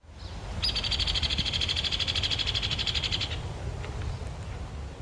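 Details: Hairy Woodpecker, Kentucky woods, gives a dry, angry-sounding rapid rattle of high notes lasting nearly three seconds, a flat drill that does not descend at the end unlike the Downy's, over a low background rumble.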